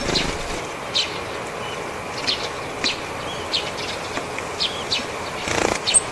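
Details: A flock of Japanese tits flying down in turn to take sunflower seeds give thin, high, brief ground calls rather than spring song, scattered irregularly over steady outdoor hiss, with close-up wing flutters.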